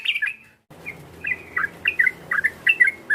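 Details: Yellow-vented bulbul call meant to stir up a rival. Bright chirps, a brief silence, then scattered bubbly two-part whistled notes spaced irregularly, with low rumbling in the background.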